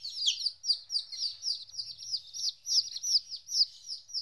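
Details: Baby chickens aged 14 days, separated from their mother for the first time, chirp in a high, rhythmic series of arched, slightly rising-then-falling peeps, about two or three per second, steady and unaccompanied.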